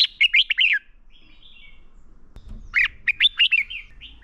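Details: Red-whiskered bulbul fighting song used as a lure to train birds: two bursts of quick, loud whistled phrases with sweeping notes, each about half a second long, separated by a soft warbling pause.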